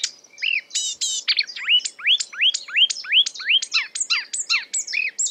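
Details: A marsh warbler mimicking other birds: a few high buzzy notes, then a run of repeated rising whistled slurs about twice a second, mixed with sharp clicks and twittering.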